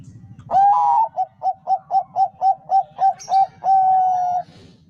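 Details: Full zebra dove phrase from a Bangkok-type bird, played to lure other doves into song: a long opening coo, about ten short evenly spaced coos, then a drawn-out level final coo, faint low rumble behind.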